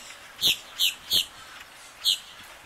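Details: Black-bellied whistling ducks, a mother and eight young diving, preening and bathing on a cool January 2023 afternoon, give four short, sharp, high whistled notes, three in quick succession and a fourth after a pause.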